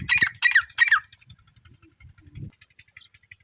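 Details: Francolin, known locally as Iranian tetar, gives three harsh, grating squawks in quick succession, roughly 0.4 seconds apart, followed by near quiet with faint soft clicks and low thumps.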